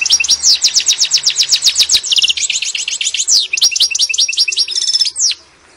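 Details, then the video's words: A singing European goldfinch of the kind called "gitano" gives a rapid, tinkling song of quick high twittering notes and buzzy trills, about twenty-five sweet chirps in a fast, liquid run. "Jilguero Gitano Pegando"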